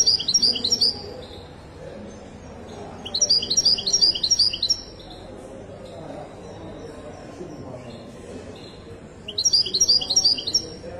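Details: Moroccan goldfinch of the Wedani song type at Casablanca's bird market; three dense bursts of rapid, high, jingling twitters, each lasting about two seconds, separated by quiet gaps with soft background chatter.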